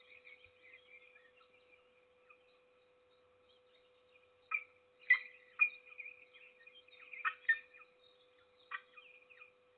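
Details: Peregrine falcon feeding its single chick, Trzebież forest district, Poland, 7 May 2022: soft high squeals, then sharp, loud, harsh chips repeated irregularly about twice a second, with a faint continuous hum behind.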